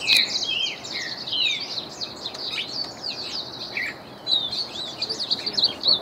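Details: A trained Reinamora sings a varied stream of high chirps, twittering slurs and short trills in irregular phrases, with a brief pause before a final quick, sparkling run.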